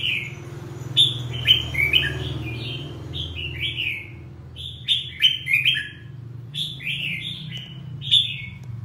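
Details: Red-whiskered bulbul singing rich, fluty phrases: sharp high starts sliding into warbled lower whistles, delivered in rapid groups with short pauses, over a soft low drone.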